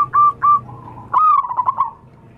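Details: Wild local zebra dove call played as a bird lure: two clipped notes, then a quick tumbling series of soft rolling coos that fade away, with a low background hum.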